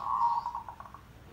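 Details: Zebra dove singing in the tandang derak lebat style, used as a lure for trapping: a mid-pitched drawn-out coo that breaks into a quick string of short beaded notes, fading out.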